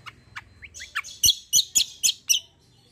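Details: Greater green leafbird singing vigorously in long rolls: a few rising whistled notes, then a run of six loud, sharp, high chirps about a quarter second apart. A faint low hum lies underneath.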